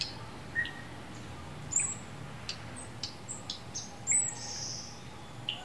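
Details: A coleto (Sarcops calvus) gives scattered, very high, thin squeaks and short metallic chips at an uneven pace, over a low steady background rumble.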